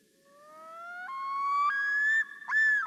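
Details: Common loon, typical of North American lakes and ponds, giving one of its several song versions: a haunting, rich-toned call climbing upward in clear steps, ending in one sustained high note.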